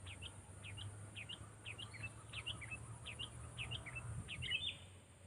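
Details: Sooty-headed bulbul trained for use as a decoy, producing rapid paired chirps that rise and fall, repeated about twice a second in a steady run, over a low continuous hum.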